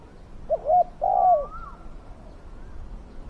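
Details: Decoy spotted dove used to catch wild doves, with a big, fierce voice. A short hooted note is followed by a longer falling coo. A long rising whistle from another bird comes after.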